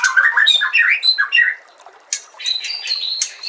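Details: Short stretch of white-rumped shama master song: a quick series of mid-pitched warbled and scratchy notes, a brief lull, then high sustained whistles with sharp clicks.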